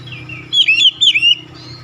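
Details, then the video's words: Two short, softer warbled phrases from an Oriental magpie-robin, each a quick cluster of twisting whistled notes, against a steady low hum. "SUSUNAN KICAUAN KACER YANG INDAH DAN ENAK DI DENGAR"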